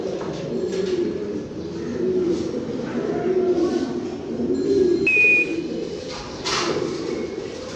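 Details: Several fancy pigeons cooing: murmuring low coos rise and fall in a steady chorus, broken by a brief thin whistle-like tone midway and some soft tapping sounds.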